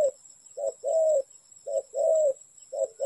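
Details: Spotted dove cooing during bird trapping: a short note followed by a longer, slightly falling coo, the pair repeated about once a second, over a constant faint high-pitched hum.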